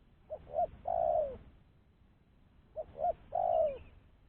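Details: Spotted dove calling as a lure to draw in other doves, said to sing well and no longer be afraid: two phrases of short double hoots, each ending in a sustained, slightly downward coo, with quiet gaps between.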